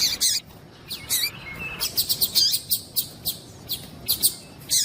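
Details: Female Papa-capim (Double-collared Seedeater) giving calls meant to excite a male: a series of short high chirps, some buzzy, and a brief thin whistle near the start, irregularly repeated about every half second.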